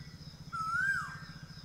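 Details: A single clear whistled note from an Asian koel, rising smoothly then falling away, over a low rumbling hum and faint high tone.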